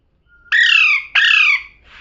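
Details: Pet parrot talking: two loud, voice-like syllables, each about half a second long, in quick succession. They are harsh and rich in overtones and fall slightly in pitch. A faint soft tone comes just before them.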